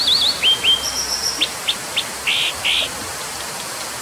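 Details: Brown dipper (Cinclus pallasii) with high twisting whistles, then a string of sharp clipped notes and two loud harsh buzzy blasts, set against constant rushing noise.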